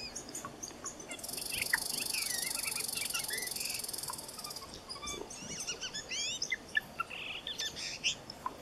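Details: Blue Jay in woodland giving its quiet whisper song, head stretched forward and moving side to side: a soft, rambling medley of high chirps, short whistles, clicks and possible mimicry, thought to serve pair courtship; steady hiss early on.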